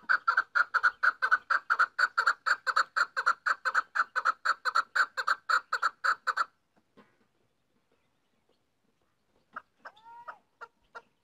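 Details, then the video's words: Female chukar partridge delivering a long, rapid, regular string of clucking chuk notes for over six seconds, then silence broken by a few faint, thin, higher notes. "female chakor voice"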